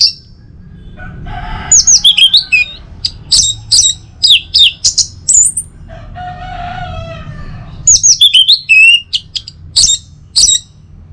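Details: Orange-headed thrush, morning song used to encourage other birds to sing: long bursts of varied high whistles, slurs and chirps, broken midway by a lower, rougher harmonic phrase, then more rapid whistling.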